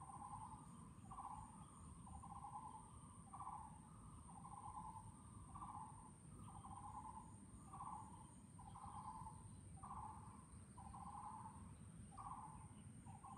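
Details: A Taiwan barbet repeats hollow, knocking notes about once a second over a low rumble, with a thin steady high whine behind; Chunghsing New Village, Nantou, Taiwan, 12 April 2018.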